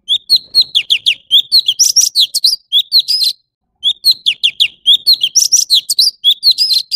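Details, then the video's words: An orange-bellied leafbird repeats quick, sweet whistles in steady runs, with brighter higher notes partway through and a short pause midway. "Tiếng chim thanh tước trung quốc/Chim xanh vàng✅Orange-bellied leafbird ✅นกเขียวก้านตองท้องสีส้ม"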